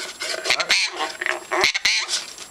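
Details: A pet Jenday conure, apparently wanting a bath, chatters in quick, high, raspy speech-like syllables with a few sharp squawky bursts over about two and a half seconds, amid human talk about taking a bath.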